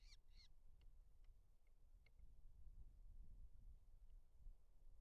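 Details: A Eurasian hobby (Falco subbuteo) at a southern UK forest nest with two chicks hatched 16 July 2025, filmed 27 July, gives two harsh, scratchy calls in quick succession, then a few faint ticks, over a steady low wind rumble.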